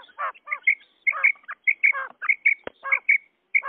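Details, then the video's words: Common quail, male and female calls used to attract quail: crisp paired high notes between rasping, harsh notes, with one sharp click partway through. "Batair ki Awaz bima kirak / quail sound effect | batair karik"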